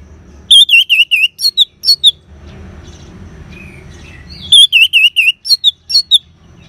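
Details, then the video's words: Ngeban song of an orange-headed thrush, a lure for caged birds: two bursts of rapid wavy whistles, about nine notes each, separated by a quiet pause with soft background whistles. "Suara Ngeban Untuk Pancingan ANIS MERAH Jitu Membuat Burung Gacor"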